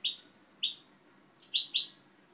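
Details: Goldfinch hybrid recorded in 2011 giving short high twittered phrases, two single notes followed by a doubled burst, over a faint low background hum.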